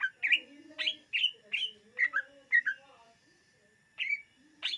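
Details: Greater green leafbird song used for luring birds: bright whistled and chirped notes around the upper-middle range, repeated in short bursts about every half second, with a steady faint tone in the background and a pause before final notes.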